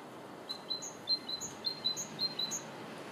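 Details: Singing great tit, 2 April 2014, giving a rapid series of repeated high two-note phrases, each a brief thin whistle linked to a sharper upper note, against a constant hissy background.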